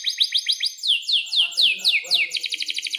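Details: Energetic canary in full song, used as a model for young birds learning: quick short rising chirps, then five loud sweeping down-slurred whistles, ending in a rapid rattling trill.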